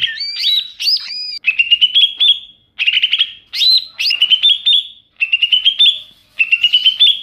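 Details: Bird-luring call of a wild greater green leafbird: a couple of looping whistled notes, then repeated short rising chattering phrases with a sharp whistled finish, each lasting under a second and separated by short gaps.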